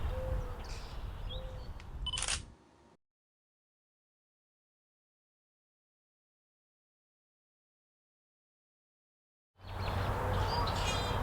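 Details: A camera shutter clicks over low background rumble, then a long silence before the outdoor rumble returns.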